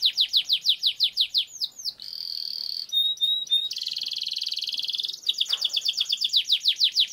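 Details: Canary singing long rolls as a training lure: rapid descending slurred notes, a buzzy roll, brief high pure whistles, then a sustained dense trill and more quick slurs.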